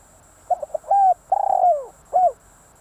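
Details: Spotted dove decoy bird with one mellow phrase: quick soft lead-in notes, a steady coo, a long slurred coo dropping in pitch, and a neat ending coo.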